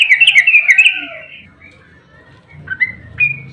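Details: Agitated sooty-headed bulbul singing a 'ropel' song used to make other bulbuls answer: a fast run of loud, liquid chattering notes, then near silence and a few scattered whistled calls over low background rumble.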